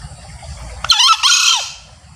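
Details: Crow of a male green junglefowl, the kind used to call birds in while hunting: a sudden screechy two-syllable outburst, the second part longer and dropping at the end, over a low rumbling background.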